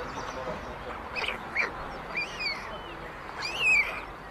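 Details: White storks at a chimney-top nest in Ságvár, Hungary, on 22 May 2024, as older siblings steal food from the youngest chick: a few arched, wheezy calls that rise then fall, the loudest near the end, over steady background hiss.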